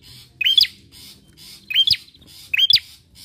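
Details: Three loud hooked chirp phrases from a bar-winged prinia, spaced more than a second apart, played as a lure to get other birds singing, with soft high twittering and low rumble underneath.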